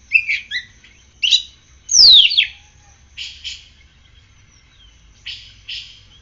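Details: Oriental magpie-robin, kept and cared for with morning sun and dew, utters a loud downward-sweeping whistle among short buzzy chattering notes spaced about a second apart, in a quiet setting.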